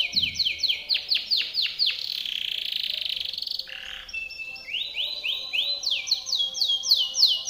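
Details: Timbrado canary singing a powerful training song for other canaries: fast rolls of rising, curved notes repeated several per second, a sustained buzzy tone, then a low rough burst before the quick rising rolls resume.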